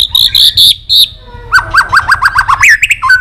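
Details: White-rumped shama singing excitedly with tail flicking, a caged bird being stimulated to sing many varied phrases: short whistled notes near the start, then a rapid series of repeated rising-falling chirps and a final whistled slur, loud and close.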